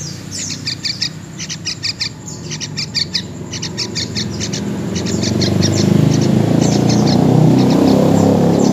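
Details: Wild-born juvenile yellow-vented bulbul uttering rapid bursts of sharp high chirps, roughly three per second, fading as a rushing noise swells in the second half.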